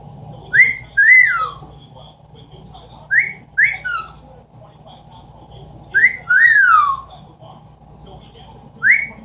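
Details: Indoor pet Amazon parrot imitating sounds, giving paired rising whistles and an occasional longer falling whistle, in bursts every two to three seconds over a constant low household hum.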